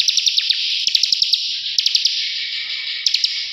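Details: Ciblek, or bar-winged prinia, in ngebren song: a relentless high buzz punctuated by bursts of crisp clicking notes in quick groups, clean and close.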